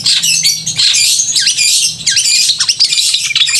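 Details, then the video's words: Long-tailed shrike singing vigorously in a clear, loud voice to provoke emotion and breeding drive in other shrikes; shrill whistles, squawky notes and fast descending slurs tumble together. "Cendet gacor suara kristal dan keras cocok untuk memancing emosi dan birahi cendet"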